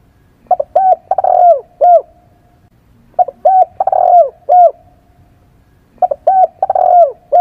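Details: Spotted dove decoy call: three repetitions, about three seconds apart, of a phrase with two short upturned notes, a longer descending coo and a closing short note, clean and close.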